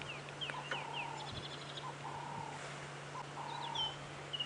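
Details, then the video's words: Ring-necked (Cape turtle) dove at sunset in January on a South African game reserve gives short, hoarse cooing phrases repeated every second or so, with thin high whistles and chirps from other birds and a low steady hum. "I can hear turtle doves"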